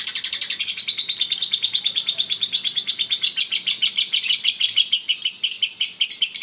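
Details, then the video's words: Contest-winning lovebird in long ngekek chatter, a continuous rapid stream of high, scratchy notes that becomes denser and more even toward the end, with nothing else audible. "Ngekek 1 menit up"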